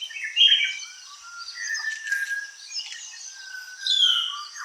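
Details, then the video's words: Malabar whistling thrush singing in an Indian forest: loose, clear whistles sliding between mid and higher pitches, over a steady high hiss of insects and other forest birds. "the song of the Malabar Whistling Thrush"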